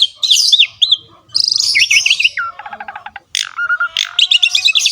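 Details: Javan pied starling singing actively in ngerek style: looping whistled notes, a wavy trilled phrase, a clattering rattle, then a loud harsh burst and rapid chirping.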